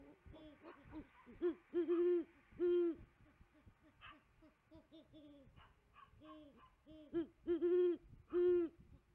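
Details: Great horned owls at a tree nest around 5 pm: deep, soft hoots in uneven runs, strong ones a second or two apart, with fainter answering hoots; possibly a second female in the distance and a male in the background.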